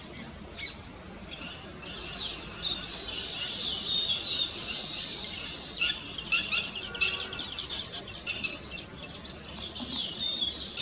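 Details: Weaver birds chorusing at their completed nests, a celebration of finished building; a busy, shrill, chattering mass of voices that swells after a quieter start, with bursts of rapid clicking notes near the end.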